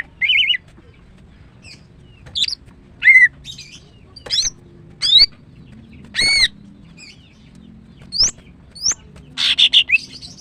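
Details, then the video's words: Female greater green leafbird singing in the morning, giving spaced single notes: rising whistles, arched chirps and sharp upward strokes about every second, ending in a short harsh buzzy burst. "CUCAK IJO BETINA"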